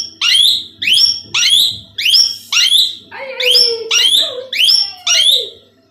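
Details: A tame, two-year-old male plum-headed parakeet kept as a pet: eight loud, sharp, high calls that fall in pitch, repeated about every two-thirds of a second, with a lower sliding whistle-like tone under the later calls.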